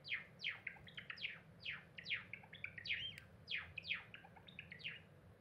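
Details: A pet cinnamon Java sparrow sings while gazing out of a window on 7 April 2021: a run of quick, sharp, downward-sliding chirps and clicking notes, with bell-like phrases about every half second over a faint low hum.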